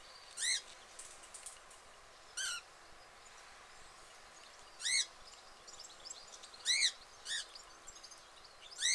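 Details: A sleepy cockatiel gives short, bright chirping calls at uneven intervals over a faint steady hum.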